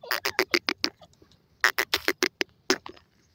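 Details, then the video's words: Francolin calling in harsh, broadband rasping notes, about six in quick succession, a short pause, then another run of similar rapid notes tapering into softer clicks. "moter teetar ki awaaz,pheasant birds lambi voice"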